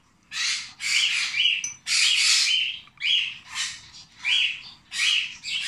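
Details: A 26-day-old rosy-faced lovebird chick gives harsh, raspy begging calls while being hand-fed, about six bursts of half a second to a second each, with short gaps between them.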